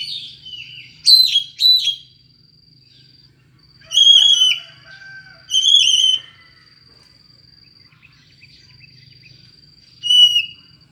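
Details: Strange-voiced Oriental magpie-robin used to lure another magpie-robin: loud whistled, harmonic phrases come in separate bursts roughly every two seconds. Between bursts there are gaps filled only by a steady high whine and a soft low hum.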